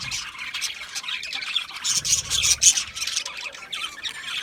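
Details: A chorus of budgies chirping: scratchy, high warbled notes overlapping constantly, swelling to a louder, busier burst around the middle and then settling back.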